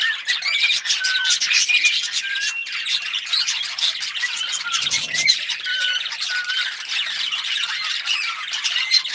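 Cockatiels chatter and whistle in a dense, continuous stream of squawks and short rising notes.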